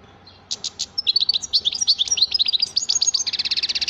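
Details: European goldfinch singing: a fast, bright twitter of short high notes, opening with three separate chips, then a rapid run of sharp chirps and trills ending in a dense buzzy rattle.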